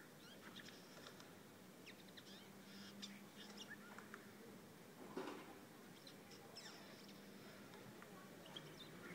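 A Eurasian jay gives a single harsh, rasping screech partway through, among scattered thin high chirps from small birds over a low steady hum.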